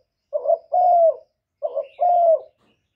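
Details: Spotted dove calling to draw in other doves. Two clear phrases, each a short quavering note followed by a longer, level, slightly falling coo, against silence.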